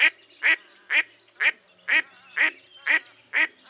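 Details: Steady, rhythmic quacking of a mottled duck: eight harsh, nasal notes evenly spaced about half a second apart, clear and close.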